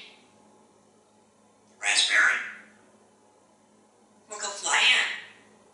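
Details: Talkative pet African grey parrot, a male living indoors in Texas, chatting while gazing outside on a pretty day; two breathy, word-like phrases about two and a half seconds apart in a quiet room.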